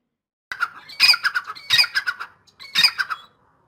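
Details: Grey francolin, called dakhni teetar, calling in full excitement: three loud, harsh, rhythmic phrases, each a quick run of ringing squawky notes, given back to back in a quiet setting.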